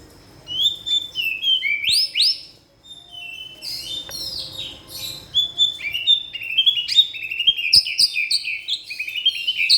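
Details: White-rumped shama pouring out mimicked phrases: a fast, varied medley of high whistles, chirps, trills and buzzy notes, barely pausing, with a couple of sharp clicks.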